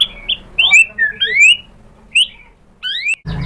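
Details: Lure song of a white-rumped shama meant to rouse a rival to reply: quick sequences of upslurred whistles and short warbled notes, pausing briefly, ending in a burst of low broadband noise.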